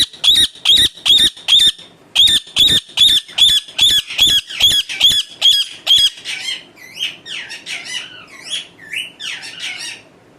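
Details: Pet talking parrot at home screeches in a steady series, roughly two shrill notes a second for six seconds, then breaks into a jumble of softer, scratchy chattering calls.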